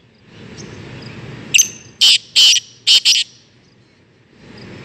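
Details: Black francolin, one of eight birds kept for training and hunting and released out of the cage: harsh, grating call of four loud broadband bursts in about two seconds, over quiet background hum.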